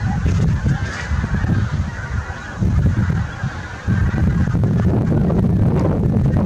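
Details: Big goose flock calling in early April 2021: continuous overlapping honking from many birds, partly buried under heavy low-pitched rumble that drops out briefly and returns.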